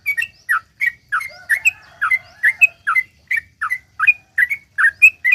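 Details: Long rapid 'ropel' song of a sooty-headed bulbul, played to prompt other bulbuls to sing: clear whistled paired notes, dipping then rising, repeated steadily about every half second, with a soft lower warble partway through.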